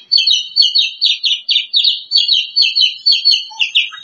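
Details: Contest runner-up bush lark repeating quick, bright two-tone chirps about twice a second, a rolling even rhythm of high trilled notes.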